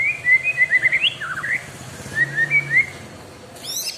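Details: Caged white-rumped shama, described as a prolific singer kept with extra care, giving rapid whistled notes in a bright series, slurred and rising, then a pause and a softer run, ending with a high rapid trill.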